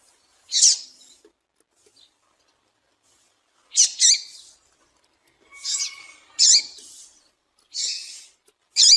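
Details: Female double-collared seedeater call, used to make males start singing and popular with keepers in calling contests; short, thin, high chirps in tight clusters, about six bursts over nine seconds, with quiet gaps between them.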